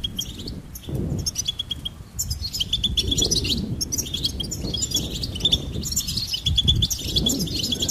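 Goldfinch twittering: a fast, continuous jumble of bright, tinkling high chirps and trills, possibly from several birds, over a low rumbling background.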